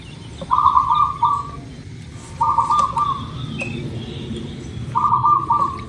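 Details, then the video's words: Local zebra dove cooing, used to encourage birds to start singing. Three stammering, mid-pitched coo phrases, each about a second long, repeat at intervals of around two seconds against low background noise. "Suara Perkutut Lokal"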